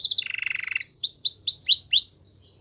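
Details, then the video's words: Singing canary used for training: a brief rapid trill, a lower buzzy rattle, then six rising whistled sweeps in quick succession before falling quiet. "Canary training song | Most popular canary singing"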